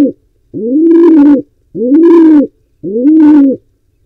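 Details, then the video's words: Wild pigeon trying to breed in an Israeli nest box shared with barn owls; loud low coos rising then held, repeated about every 1.1 seconds, each with a rough higher rasp in the middle. "Pigeon is still trying to breed"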